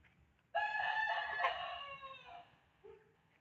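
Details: Farmyard chicken giving a single drawn-out crow lasting nearly two seconds, strong at the start and trailing off, followed by a short low cluck-like note; faint hum beneath.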